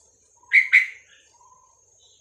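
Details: A brief double note, two sharp slurred chirps in quick succession, from a Vietnamese-type red-whiskered bulbul, a caged bird whose song is used to train young birds and rouse others.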